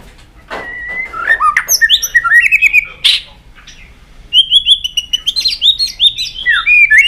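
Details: Excited White-rumped shama stimulated to sing while flicking its tail on a perch: loud varied whistles interspersed with sharp clicking notes, a brief pause, then rapid repeated ringing phrases with dry clicks, strong and continuous.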